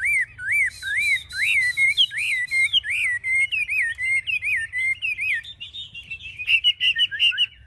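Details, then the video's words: Strongly fighting Chinese hwamei in a cage, wings raised and tail fanned, pours out quick, bouncing whistled notes in rapid succession, with high thin accents above. A softer, jumbled whistled passage follows before brighter phrases resume. "Họa mi chơi cánh cao đuôi xòe"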